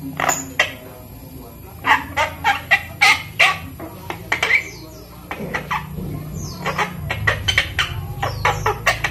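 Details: Pet Javan myna aged five months, hand-fed from a chick and learning to speak. Rapid clicking and harsh chattering bursts come in irregular clusters, with a few brief tonal notes between them.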